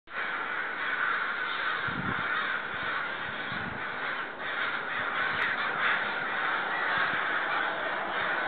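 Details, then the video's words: Neighbourhood crows, seemingly agitated or upset, keep up loud, sustained cawing heard from a back deck: dense overlapping harsh caws blend into a continuous rasping wall, with a few low rumbling thumps underneath. "Crows seem upset"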